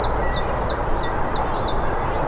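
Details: A Common chiffchaff (Phylloscopus collybita), a returning summer visitor, sings in spring at Drakelow reserve, Derbyshire: five high, clipped notes at about three per second, alternating slightly in pitch, over a low rumble of wind and distant traffic.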